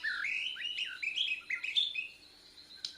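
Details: Young Bornean white-rumped shama learning its song: a short jumble of slurred whistles and chirps, loud at first, then fading into thin high notes with a low hum behind.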